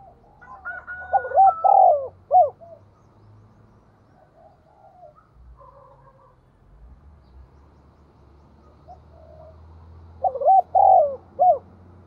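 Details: Spotted dove used as a lure for wild doves, 'thúc' call in 'thổ' voice: two three-note coo phrases about eight seconds apart, separated by faint low rumbling and soft distant cooing.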